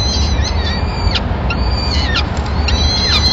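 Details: Peregrine falcon at a nest in Madrid on 26 April 2016, as the male brings the day's first food, a small bird, for all the chicks; thin, high wailing calls with bending pitch, repeated, over a constant low traffic rumble.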